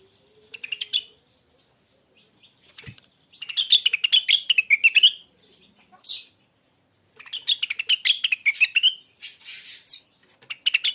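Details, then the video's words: Rengganis bird, original recording for training songbirds: several long, busy phrases of rapid chirps and twitters separated by gaps, with a brief rasping note and a few clicks in between. "suara burung Rengganis bahan"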